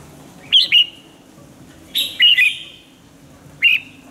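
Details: Caged Red-whiskered bulbul used for song training, giving short bright warbled phrases around 0.5, 2 and 3.6 seconds, each a quick run of slurred whistled notes with brief quiet gaps, over a low steady background hum.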